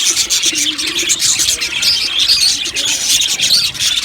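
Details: Budgerigar colony chirping in an aviary, dense high twitter with a few clear short whistled notes rising above the steady chattering of many birds.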